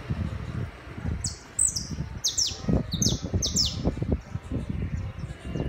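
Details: Urban saffron finch delivering a chapinha song: a brisk burst of about eight bright, downward-slurred high chirps in close succession, then a pause, with deep rumbling city noise underneath throughout.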